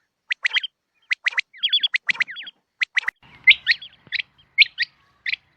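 A rain quail gives sharp, metallic double and triple notes mixed with quick hooked whistles, in bursts about once a second. No other sounds are heard.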